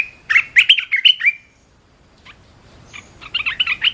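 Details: Caged red-whiskered bulbul training song: a fast, loud phrase of liquid, warbling notes, a pause with faint single chips, then a quieter rapid chattering phrase.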